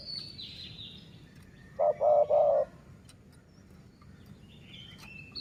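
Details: Single low coo phrase from a decoy dove of the city line, three short rounded notes, with high thin whistling birds before and after.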